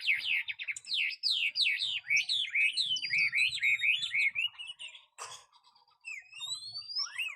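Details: Caged Chinese hwamei with a spread tail and large build, tame and strong at competition singing, pours out rapid looping whistles that sweep up and down, broken by one sharp click before high rising whistles resume.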